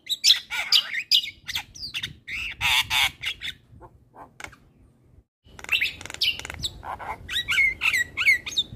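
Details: Javan myna song with loud harsh squawks and whistled chatter, a quiet pause of scattered soft notes, then renewed busy whistling and chattering.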